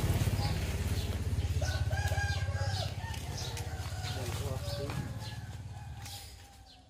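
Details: Morning rooster crow, a stretched, tonal call lasting about a second with layered harmonics, heard over a steady pulsing engine rumble, with scattered bird chirps and faint voices.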